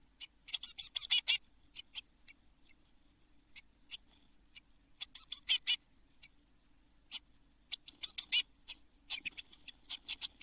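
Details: Eurasian blue tit young in a nest box before fledging, June 2022: short clusters of sharp, high, hissing chirps separated by quiet gaps of a second or more, with soft faint ticks between.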